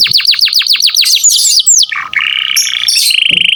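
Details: Canary singing 'gacor', a tutor song for training other songbirds: about eight rapid descending whistled sweeps in a row, then loud slurred notes, a low buzzy dip and a steady high trill.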